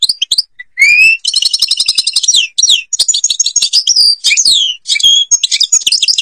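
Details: European goldfinch in Algeria singing ghabat al-Babas tiberli song: a clear rising whistle leads into long, fast, tinkling trills and buzzy twittering slurs, nearly continuous throughout.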